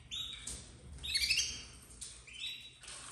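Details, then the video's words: Several high, scratchy cheeps from captive red frosted domestic canary chicks, 2024, coming in three quick clusters with brief pauses. "Filhotes de canário doméstico 2024 vermelho nevado"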